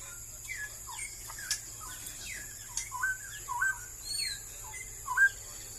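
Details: Straw-headed bulbul, described as increasingly rare in Malaysia, giving a bubbling run of short liquid whistled notes, many rising or falling, with louder slurs toward the end, over constant high hiss and faint low hum.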